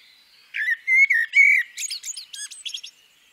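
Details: Female common blackbird: a low fluted warble of mellow whistles near the bottom of its range, followed by a rapid squeaky twitter of high, thin notes. The phrase lasts about three seconds, with no other sounds.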